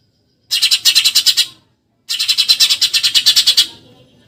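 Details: Two volleys of rapid, buzzy chirps from a Eurasian tree sparrow, 'tembakan nyerecet' style: the first about a second long, the second nearly twice as long, in an otherwise silent background.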